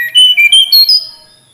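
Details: Tledekan gunung flycatcher giving a short phrase of five clear whistled notes that step upward in pitch, then fade out.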